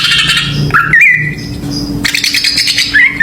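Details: Greater green leafbird song played as a lure for other birds: a buzzy trill, then a twisting whistle, a softer pause and another rasping burst ending in a looping whistled note.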